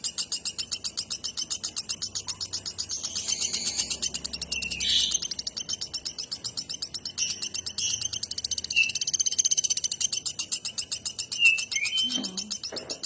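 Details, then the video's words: Nuthatch singing actively: a fast, steady train of sharp high notes, about four per second, runs throughout, broken by a few brief whistled slurs, one dropping steeply near the end. "Burung Pelatuk Batu Gacor"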